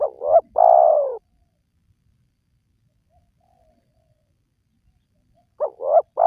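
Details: Spotted dove used as a lure for wild doves. One full phrase of double coo plus long descending coo, a long silence, then the opening notes of the next phrase.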